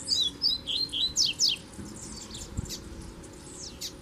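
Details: A kept male double-collared seedeater sings in the bush while dueling with a strong, wild, black male. Bright, rapid, high whistled notes give way to fainter, sweeping slurs, with soft background hiss.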